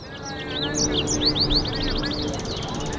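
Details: Singing goldfinch-canary mule gives a run of quick high slurred notes, several sweeping downward in a fast series, over a steady low hum and background noise.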